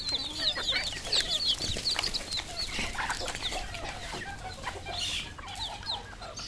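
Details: Flock of red junglefowl at a farm in Cambodia, a burst of loud thin rising peeps at the start, then softer scattered chirps and a few lower clucking notes.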